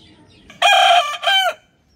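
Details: A rooster crows on a farm in the morning, one loud rich sustained note then a second shorter note bending downward, in otherwise quiet surroundings.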